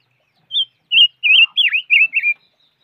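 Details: Five-coloured bird singing a short, clear run of six wavering whistled notes, one with a sharp downward dip, delivered in about two seconds in silence.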